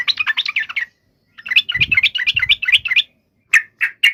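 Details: Fighting song of a yellow-vented bulbul, meant to draw replies from other bulbuls: short bursts of rapid, bubbly chirping notes separated by gaps, ending with a few isolated sharp notes.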